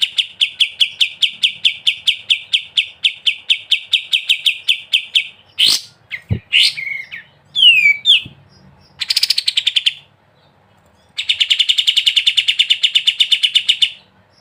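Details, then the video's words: Ngebren-style song of a sooty-headed bulbul (kapas tembak). A fast series of repeated notes runs about five seconds, then comes a mix of sharp clicks, slurred whistles and a buzzy burst, then a second rapid series. "KAPAS TEMBAK GACOR BESET NGEBREN"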